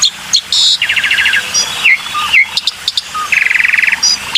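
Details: Black-winged myna lure sound: harsh buzzy rattles and a rapid stuttering trill mixed with short sweeping whistles and sharp high chips, all clear and close.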